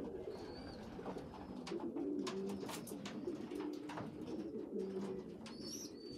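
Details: Young pigeons give dense, continuous low cooing with wavering notes while a weak youngster feeds the stronger ones. Brief high squeaks come near the start and end, with crackling clicks throughout.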